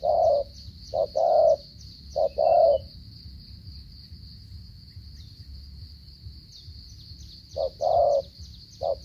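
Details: Spotted dove from Cà Mau in 'gù cà lăm' stuttering coo style; clipped short-then-long hollow coos open the recording, a quiet pause follows, and the paired coos resume near the end over faint background hiss.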